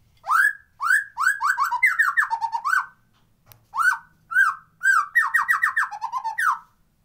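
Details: Unedited white-rumped shama song played as a lure to make lazy birds sing and get into breeding mood. Rapid runs of rising whistled slurs in two bursts, separated by a brief pause, clear and loud against a quiet background.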